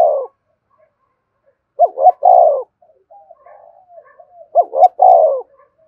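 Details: Spotted dove lure call: a coo phrase of two short upswept notes and a longer, falling, slightly rough note, given twice about 2.7 seconds apart, with soft murmured notes between phrases in an otherwise quiet setting.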